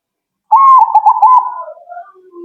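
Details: A single zebra dove phrase: a sudden loud trilled coo that breaks into quick stutters, then fades into lower, softer, drawn-out notes.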